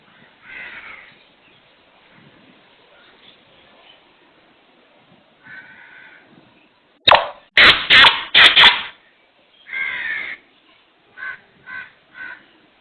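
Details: Black francolin (kala teeter), its call rendered locally as "subkhan teri qutrat": faint scratchy notes, then a loud burst of harsh broadband clicks around the seventh second, followed by a few shorter grating notes.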